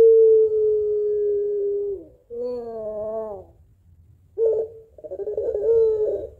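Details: Calling for its mate, a puter pelung barbary dove holds a long coo that sags at the end, follows with a quavering note, pauses, then gives rough gurgling bursts.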